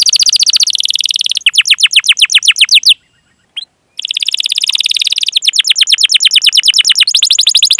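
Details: Canary singing in the long, rolling 'gacor' style used as a lure for other canaries: long fast trills of repeated rising notes, broken by a short silence with one faint note, then the rolling resumes.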